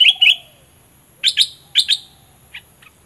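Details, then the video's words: A captive Olive-winged bulbul used as a decoy bird in southern Thailand gives bright, bubbly paired notes in three quick bursts, then two short clipped notes, after a faint low falling whistle. "Burung merbah lekir gacor"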